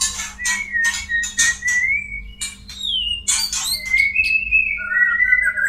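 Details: White-rumped shama in a breeding-stimulation recording for courting birds: clear sliding whistles alternating with scratchy broadband bursts, ending in long rising whistled notes over a faint constant hum.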